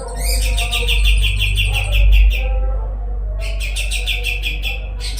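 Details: Kapas tembak, a songbird used to teach magpie-robins richer songs, gives a quick run of sharp repeated high notes, falls silent, then starts a fresh burst of dense trilling, with a deep hum throughout.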